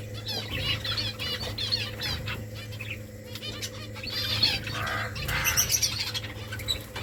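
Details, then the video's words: Finches in a colony making nests, many birds chirping at once in fast, trilled and buzzy high notes, with wing flutters and a constant low hum in the background. "Finches making nest Finches chirping sounds beautiful finches colony"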